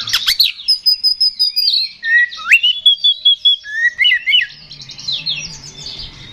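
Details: Kacer, the Oriental magpie-robin, in loud fighting song used as a lure. It opens with rapid harsh chips, then gives a high sustained whistle, a dipping slurred phrase and a chattering warble that fades.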